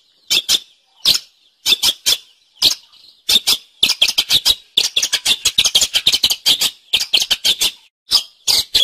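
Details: Cendet (long-tailed shrike) gacor song for training other songbirds: bursts of sharp, high chattering notes in twos and threes, building into dense rapid runs midway, separated by brief silences.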